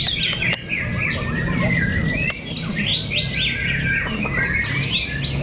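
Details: White-rumped shama fighters clashing fiercely at Cibinong, Indonesia: quick whistled sweeps and scratchy chatter in dense bursts, broken by a few sharp clicks, above steady low background noise.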